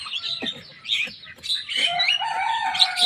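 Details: Young Javan myna in full song, copying rival birds' songs: scratchy chatter gives way to a long, steady, whistled tone held under a stream of rasping, buzzy phrases.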